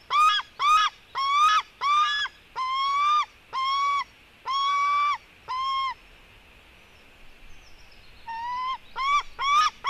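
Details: White-tailed eagle young, a female eaglet fighting her brother at 16:09: clear harmonic yelps in irregular bursts, some longer flat notes, a three-second lull, then quick repeated yelps resume.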